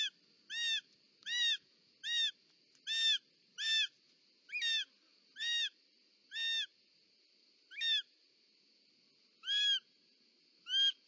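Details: Female short-toed snake eagle arriving at the nest with a snake, Parc Natural dels Ports, July 2024. Ringing, downslurred whistles come in an uneven series, spaced by pauses of about one second, against a faint constant hum.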